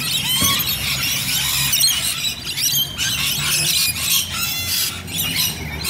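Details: Several Rainbow lorikeets at Bonnyrigg give sharp, rasping screeches and quick chattering notes that overlap continuously over a low background hum.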